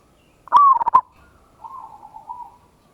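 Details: Local zebra dove with a big voice, singing a ngayer kerot nutut style lure song to provoke a response. One loud stuttering coo phrase of rolling pulsed notes is followed by a softer, drawn-out trailing coo.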